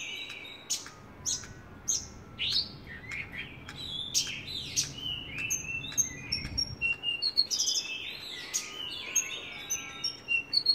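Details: Branjangan, the Javan bush lark, in vigorous gacor song: a continuous, rapidly changing sequence of sharp high chips, whistled slurs and downward sweeps. The notes come in quick irregular bursts over a low steady background hum.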